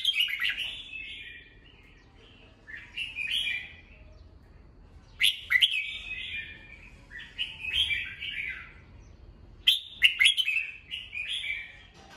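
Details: Morning song from a caged red-whiskered bulbul, played to train young birds' voices: repeated bursts of cheerful warbled whistles mixed with sharp clicks, four phrase groups over the span.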